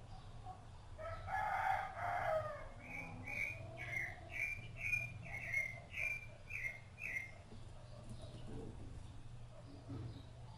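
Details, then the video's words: Rufous-bellied thrush feeding its chicks. A low, muffled rustle is followed by a string of about eight short, clear whistled notes at a similar mid-high pitch, spaced roughly half a second apart. Faint background hum. "SABIÁ LARANJEIRA CANTO"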